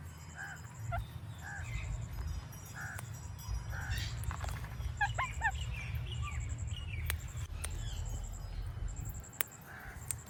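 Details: Indian ringneck parrot making natural clicking sounds: scattered sharp dry clicks mixed with short harmonic squawks and chirps, over a steady low hum and a faint high electronic tone.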